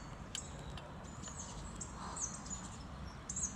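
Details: Late-February Hawfinch near Levice: brief, thin, high-pitched tick calls scattered through the clip, some in quick pairs, set against constant low-frequency outdoor noise.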